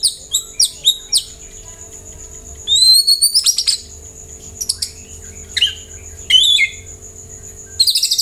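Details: White-rumped shama song played to coax other birds into answering: sharp high chips and short rising whistles in bursts, with pauses between, over a constant faint tone and low hum.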